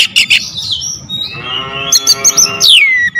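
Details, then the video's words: Oriental magpie-robin lure song: sharp high chips opening, then a long harsh buzzy note with dense harmonics, followed by quick bright notes and a clear descending whistle, low hum underneath. "PANCINGAN KACER POWER JELAS TEMBAKAN PEDAS"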